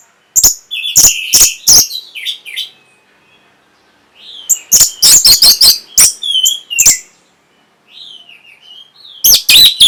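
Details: Song of an orange-headed thrush, used to rouse breeding condition and responses: loud rasping high notes repeated in quick runs, broken by quiet gaps and softer wavering whistled phrases.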